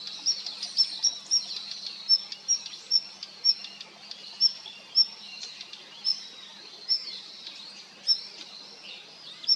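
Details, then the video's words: Female Daurian redstart (Phoenicurus auroreus) giving thin, high whistled 'hee' calls repeated roughly every half second to second, over faint chattering of other small birds. "ジョウビタキの鳴き声♀The vocalizations of Phoenicurus auroreus♀"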